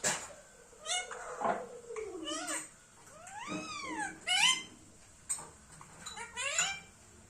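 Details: Loud, harmonic calls from an Indian ringneck parrot: drawn-out notes that sweep down, an arched note that rises then falls, and several shorter rising squawks spaced irregularly across the recording.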